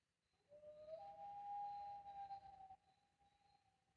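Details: Common loon (Gavia immer) on Whitefish Lake near sunset gives one long, mournful note that slides upward and then holds steady for about two seconds, in a quiet, still setting.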